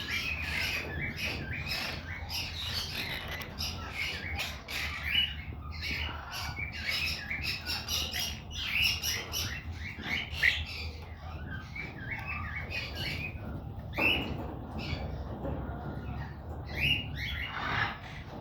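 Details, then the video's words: Monk parakeet kept as a pet, making noises: rapid series of sharp chirps and short squawks repeated several times a second, then a longer harsh squawk near the end, over a low hum. "monk the quaker parrots making noises"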